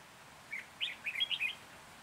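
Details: Red-whiskered bulbul singing while birds are being trapped in Hòa Bình on 14 January 2021. A single lively phrase of about six clear, whistled, bubbling notes rises and falls quickly, with little background noise.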